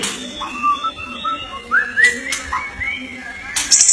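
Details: White-rumped shama (murai batu) from Indonesia sings level whistles, then a run of rising, slurred notes climbing steadily higher, with sharp clicks and a low hum behind.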